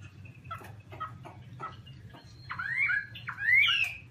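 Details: Chinese hwamei singing: a few soft scattered notes over a low hum, then two loud rising whistled phrases with sweeping slurs.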